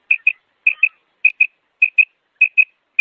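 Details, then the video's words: Female Common Quail calling: clear, high paired notes, two quick chirps per burst, repeated about every half second; nothing else is heard. "Female Quail Calling / مادی بٹیر کی سریلی آواز"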